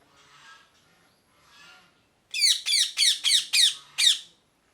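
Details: Parrot calling: two soft, muffled rasps followed by a run of six loud, harsh screeching squawks delivered about four per second in a quiet indoor setting.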